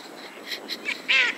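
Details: Goosander giving a few quick, rough calls that build to one loud, drawn-out, nasal squawk at the end.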